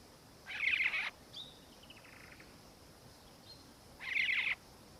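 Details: Two harsh, rasping bursts about three seconds apart, with a thin fading whistle between them, from a Black-faced cuckoo-shrike (melanops) recorded in Victoria, Australia, in December 2019.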